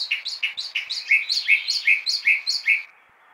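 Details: Chalk-browed mockingbird singing persistently at six in the morning: a fast series of about fourteen short, bright notes, first higher phrases then lower slurred ones, repeated roughly five times a second before stopping abruptly.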